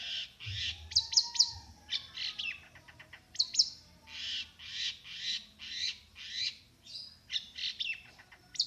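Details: Long-tailed shrike singing at a contest, a continuous run of harsh, varied chattering and chirped notes, some sweeping high, delivered in rapid pulses with a faint low hum underneath.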